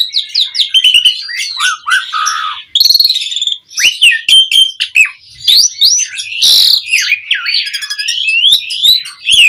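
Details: Asian pied starling giving an unbroken 'mompa' song, used as a lure recording to get other cage birds singing: a rapid jumble of fluty whistles, grating chatter and a brief harsh burst in the middle.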